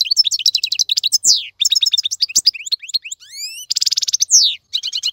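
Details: European goldfinch tutor song (maqnin) for teaching chicks: twittering chirps, several clear rising whistled slides, then a harsh buzzy trill and more quick chirps.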